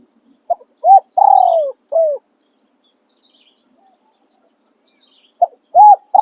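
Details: Spotted dove decoy crowing in khan riak and khan yon style: a phrase of a short coo, an arched coo, a long falling coo and a closing falling note, a pause of about three seconds, then the phrase begins again.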